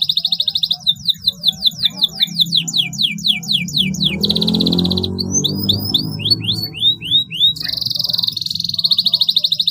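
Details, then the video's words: Varied canary song meant to stimulate canaries that have gone quiet: fast buzzy rolls, a run of descending slurred notes, rising chips and repeated upswept notes, with a low rumbling noise in the middle passage. "KENARI GACOR PANJANG PANCINGAN KENARI MACET"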